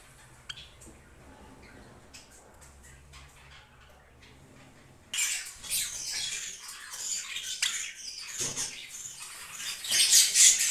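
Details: Silver Java sparrow in dense, high-pitched chattering that starts suddenly after five seconds of quiet, with rapid overlapping chirps and clicks growing louder toward the end.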